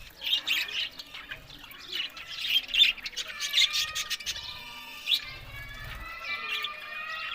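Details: Happy budgerigars squawk and chirp in spaced bursts at first, followed by softer warbling over a steady, faint tonal background.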